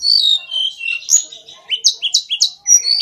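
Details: Short burst of songbird chatter: high squeaky notes, then a string of quick downward-sweeping whistles repeated about every quarter second.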